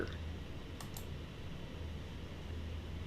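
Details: A steady low hum fills a quiet indoor space, with a couple of faint clicks near the one-second mark and no animal voice.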